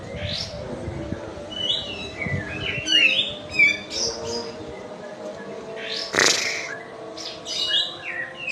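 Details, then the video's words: Energetic kapas tembak white-eye from Medan: scattered high chirps, quick slurred whistles and trilled notes, interrupted by a loud broad noise burst, with low hum throughout. "KAPAS TEMBAK MEDAN GACOR ISIAN SUARA PEDAS NGEROLL SPEED NEMBAK EDAN LEPAS TROTOL"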